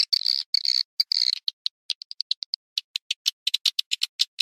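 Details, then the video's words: Swiftlet call used to attract swiftlets. Rapid, high, clicking chirps, first in short buzzy trains and then as separate sharp ticks spaced irregularly, over a silent background. "suara panggil walet"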